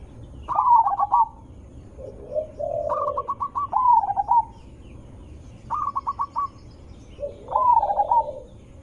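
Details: Zebra dove lure sound, loud and melodious, to get other zebra doves answering: separated phrases of stuttering coos running into smooth trills, with softer low cooing between them.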